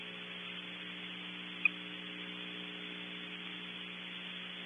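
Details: Constant mains hum and static inside a nest box, broken by one sharp click, no owl calls.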